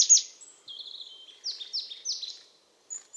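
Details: High, thin song of a European crested tit: a sharp opening note, a level sibilant whistle, then three descending slurred notes in quick succession, with a faint high note at the end. The setting is quiet.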